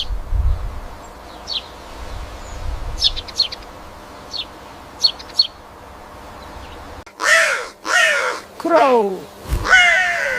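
House crow giving four loud, harsh, nasal caws in the last three seconds, after soft, scattered chirps from small birds.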